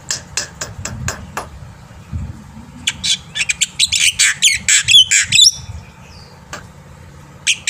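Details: Morning singing of a black-winged myna meant to teach young birds. It opens with evenly spaced dry ticks, then a dense run of harsh, scratchy notes and a few squeaky whistles before quieting.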